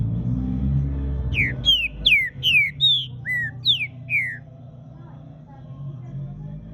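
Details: Green-winged saltator warming up: a run of about eight loud whistled notes, mostly falling slurs with one rising, sung quickly over two to three seconds, then quiet background hum.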